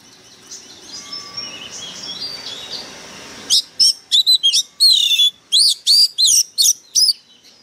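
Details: Oriental magpie-robin lure bird in an excited state, singing harshly. Faint distant warbling gives way to a rapid, loud run of sharp whistled notes and slurred phrases, about three per second, over the final four seconds.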